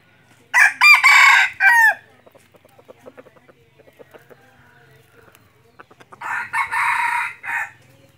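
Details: Decoy red junglefowl for hunting delivers a sharp, stuttering crow that breaks into quick pieces and ends in a clipped tail note. A second, rougher crow follows about five seconds later, with soft ticks between.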